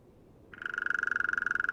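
A hairy woodpecker drums a very fast, even roll of about twenty-five ringing taps a second that carries on steadily after a quiet start.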